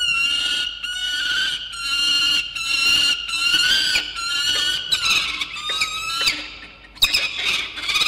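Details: Peregrine falcons at a nest in Orange, New South Wales, young bird calling to its father around 9 am on 4 August 2021: continuous loud, whining, harmonic wails, repeated and wavering, with sharp clicks.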